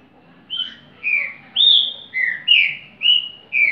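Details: A green-winged saltator sings its repeating repetidor phrase: seven bright whistled notes, sliding gently downward and alternating higher and lower in pitch, spaced evenly about half a second apart.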